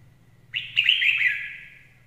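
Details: Lure song of a red-whiskered bulbul: a single rapid, liquid warbled phrase of several bright chirps that fades over about a second, with a low background hum.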